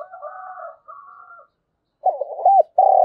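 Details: Decoy spotted dove morning calling to lure wild doves: a steady droning tone opens, then after a pause a low hooked coo and a long sustained coo close the phrase.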